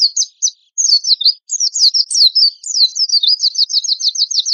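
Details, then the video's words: Oriental white-eye giving rough, rapid tembakan kasar song. It opens with a few short high chirps, then breaks into a dense, twittering trill of quick, sharp, high notes. The trill speeds into an even, buzzy rattle toward the end, with no background noise. "PANCINGAN PLECI GACOR TEMBAKAN KASAR"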